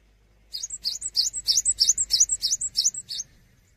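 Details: Energetic cinereous tit song for training songbirds: about ten harsh, high upslurred notes delivered quickly and evenly, with light background noise.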